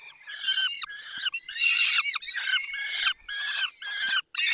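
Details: Feeding-time calls of a peregrine falcon, Barycz Valley, 20 May 2021, 10:22: loud, grating squawks in a near-continuous series, with short breaks between bursts.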